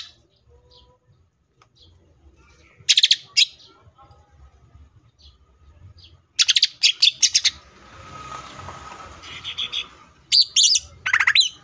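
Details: Green leafbird in 'full tembakan' song, with sparse bursts of rapid high chattering notes separated by quiet pauses and a brief hiss of background noise near the end.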